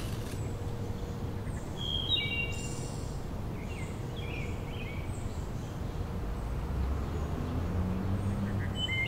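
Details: Wood Thrush (Hylocichla mustelina) singing clear, flutelike phrases ending in quick ringing trills, fairly distant over a heavy low rumble and faint hum; evening, 24 June 2013, along Georgetown Branch Trail near Rock Creek, Chevy Chase, Maryland.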